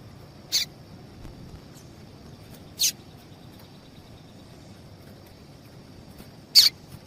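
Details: A female double-collared seedeater calls to get males singing, giving three isolated, very short, high-pitched chirps, two to four seconds apart, with soft background hiss between them.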